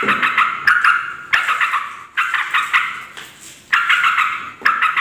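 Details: Scolding yellow-vented bulbul chatter used as a lure to anger other bulbuls; clusters of rough, rasping rattles separated by short pauses, one quieter gap near the middle.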